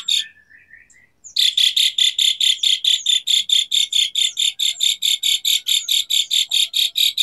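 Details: Asian pied starling in full song as a training lure for silent starlings, 'tembakan' style: a soft rising whistle, then a long, steady run of rasping, buzzy bursts, roughly four each second.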